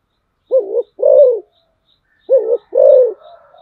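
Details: Spotted dove used as a decoy bird calling twice in a row, each phrase a short doubled low note then a longer arched coo, with faint high ticks and soft whistles in the background.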